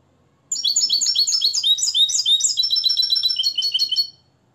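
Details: Moroccan nest-raised European goldfinch kept in a cage and tutored in limpio song: a continuous three-and-a-half-second string of quick, bright, high-pitched twittered notes ending in a rapid trill.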